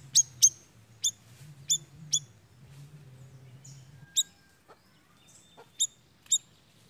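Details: Siri-siri song played as a lure to attract birds: five crisp chirps, a two-second pause with faint softer notes, then four more sharp chirps.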